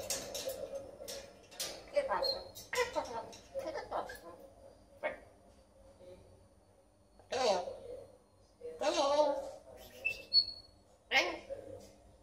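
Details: Red-tailed African grey parrot talking in Spanish indoors: bursts of speech-like syllables with pauses, a few short high whistled notes near the end, and a person's voice in the room.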